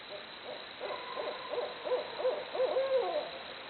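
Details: Barred owls hooting away: about ten quick, evenly spaced rising-and-falling hoots build in loudness, closing with a longer sliding note that trails downward.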